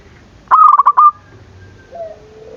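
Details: Zebra dove call used to provoke rivals into calling: one short stuttering coo, a rapid run of clipped notes ending in a held purr, followed by a faint lower whistle.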